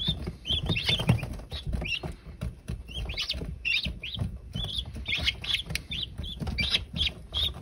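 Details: Guineafowl keets, freshly hatched on April 28, 2022, peeping in quick overlapping bursts of thin high chirps, several at once, with dull low scuffling and bumping noises underneath.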